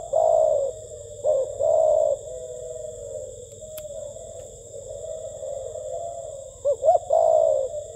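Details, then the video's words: Spotted dove cooing in the style called gù tít: repeated phrases of two short rising notes, then a long, low, steady coo, with a quiet hum throughout. "CHIM CU KHÁCH GÙ TÍT"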